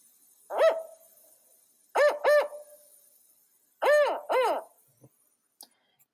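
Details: An endangered spotted owl of the Washington area hoots: a single deep hoot, then two quick pairs of hollow, slightly rising-and-falling notes about two seconds apart, with a faint click at the end.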